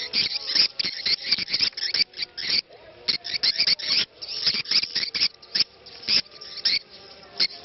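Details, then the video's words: Swiftlet 'ceklok' lure sound used to attract the birds, with a faint call to prayer said to lie underneath. Dense, scratchy chirps and clicks run in uneven volleys, broken by a few short gaps. "SUARA CEKLOK Walet"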